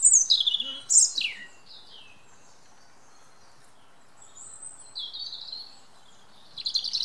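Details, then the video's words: A European robin sings in woodland, giving high, thin, wistful phrases with sliding falls and brief trills separated by short pauses, over a faint woodland hush. "Robin redbreast singing"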